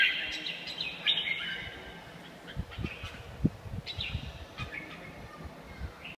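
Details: Red-whiskered bulbul recorded at A Lưới, Vietnam: a burst of bright warbling phrases at the start, then sparser, fainter chirps, with low rumbling and knocking noise underneath.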